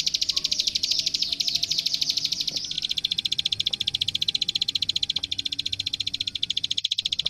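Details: Plain prinia klik klik song recorded as master for young birds: a blurred, buzzy rush of clicks at first, then a crisp, very regular machine-gun series of high ticks; faint thin whistles in the background.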